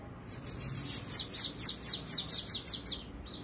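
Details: Bananaquit singing on Wednesday, 13 March, around 7:17: a quick run of about nine thin, very high, sibilant notes, each sliding sharply downward, delivered at an even two per second over faint background hiss.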